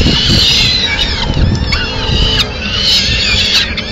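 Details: Peregrine falcon, Madrid, Spain, 30 April 2016, female arriving with the remains of a pigeon: strained, harsh calls with wavering pitch run steadily, backed by low urban rumble.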